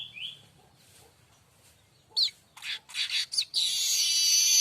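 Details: Streaked weaver song used for tutoring other songbirds: a soft slurred whistle, a pause, then loud chips and rasping notes that lead into a sustained harsh buzzing wheeze.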